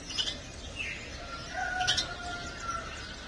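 A young house sparrow gives brief, high chirps over a soft background hum.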